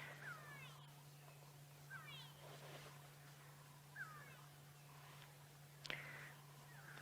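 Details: Grey go-away-birds give alarm calls at sunset in the Sabi Sand, South Africa, during a bush walk: nasal, drawn-out, falling calls about every two seconds over a steady low engine hum.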